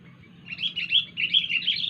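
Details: Wild sooty-headed bulbul giving an unusual call: a running series of bright, warbling chirps that builds after a quiet half-second start and ripples up and down across nearly two seconds, over a steady low hum.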